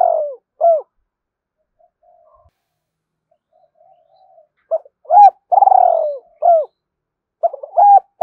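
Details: Spotted dove cooing to stimulate other doves: low hooting coos in short bursts, a long burry note falling in pitch, then several quick hooked notes after a pause.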